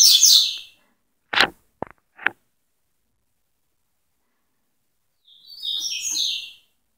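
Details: Coleiro song in the tui tui style: a high twittering phrase opens, three sharp knocking clicks follow, then silence before a softer high chattering phrase near the end.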